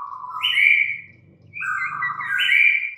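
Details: White-rumped shama giving two long, clear whistled phrases, each sliding between a lower and a higher note, over a faint low hum.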